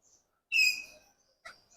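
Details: A caged talking common hill myna, one of a male-female pair and reluctant to talk after being in the sun, gives one loud, harsh, screechy call of about half a second, then a brief rasping note; no words heard.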